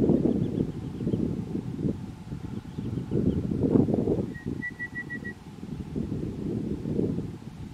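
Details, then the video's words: Red-browed Pardalote in Sturt National Park, July 2021, giving a brief run of five even, piping notes on one pitch, over steady low wind or traffic rumble and faint higher chips. "Red-browed Pardalote (Pardalotus rubricatus)"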